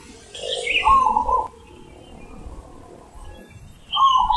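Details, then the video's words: A zebra dove sings its cooing song in a big, deep voice: a soft rolling coo phrase lasting about a second, a second phrase starting near the end, over a faint hum. "Perkutut Manggung ULEM Super BESAR"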